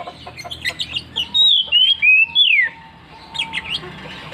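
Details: Oriental magpie-robin in persistent ngeplong song: after soft chirps, four loud clean whistles slide downward one after another, the last a long falling sweep, with a faint steady tone and more chirping around them.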